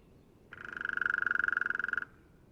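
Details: Drumming roll of a hairy woodpecker (Leuconotopicus villosus), North America: a rapid burst of about 30 resonant knocks over roughly one and a half seconds, swelling then holding steady before cutting off sharply. Faint background noise.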